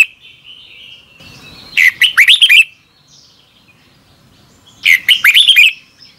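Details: Red-whiskered bulbul singing in the morning in the double-twist voice style for lure training: a faint drawn-out whistle, then two fast bursts of loud, liquid, downward-bending notes about three seconds apart.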